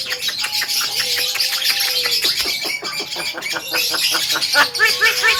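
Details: Talkative tame Javan myna mixing long level whistles with a busy stream of scratchy, buzzy chatter and rapid clicking notes.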